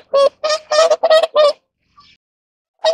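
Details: During mating, whooper swans give loud, nasal, trumpeting honks in a quick run of five, then a pause and another honk.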